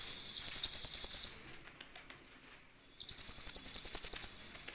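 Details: Sunbird song used as a master recording for training other songbirds, with clear 'cililin' filler phrases: two bursts of about a dozen rapid, very high, sharp notes, each lasting about a second, separated by faint ticking and a short silence.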